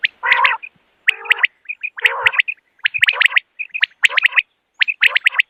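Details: Common quail calls recorded in the morning for hunting: sharp whistled notes in quick clusters of two or three, mixed with harsher buzzy, grating bursts, repeated about once a second.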